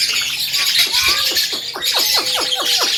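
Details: Male Javan myna, said to mimic human speech like a parrot: a run of harsh squawks and quick falling harmonic notes, repeated several times a second over a steady broadband hiss.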